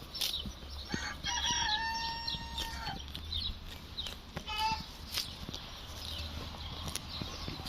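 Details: A rooster, described as one that talks, crows once in a level, drawn-out nasal tone lasting nearly two seconds, then gives a brief second burst; small birds chirp in the background and faint human voices are heard.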